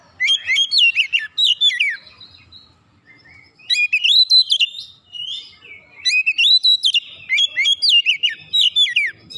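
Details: Loud oriental magpie-robin song meant to provoke other magpie-robins to sing. Three bursts of quick, sweeping whistled notes and sharp chirps, separated by brief pauses, over a quiet background.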